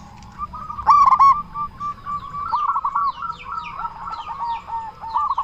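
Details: Local zebra dove with a big voice, calling to lure others of its kind into replying: a loud trilled coo followed by a long run of rapid, wavering notes, with faint high chirps of other birds behind.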